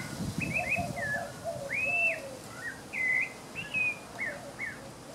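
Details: Song near the visitor center at Santa Ana National Wildlife Refuge, Rio Grande Valley, on 3 May 2015, possibly a spot-breasted oriole (ID uncertain, Northern Mockingbirds nearby): rich, clear whistled phrases slurred up and down in short varied bursts over a soft low rumble.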